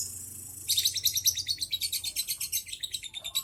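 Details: Young lovebird giving ngekek song with short pauses: a rapid chattering run of high, sharp, evenly repeated notes starting after a brief quiet lead-in and continuing steadily to the end, with faint low background hum.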